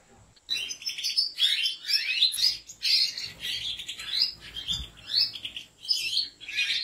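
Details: European goldfinch kept by breeders in a large aviary, singing a busy stream of twittering, tinkling notes with quick rising and falling slurs, phrases broken by brief pauses.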